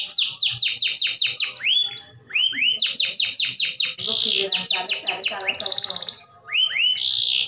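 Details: Canary singing, played to get caged birds singing: repeated fast trills of falling notes, a harsh buzzy phrase, clicking pulses and rising whistles.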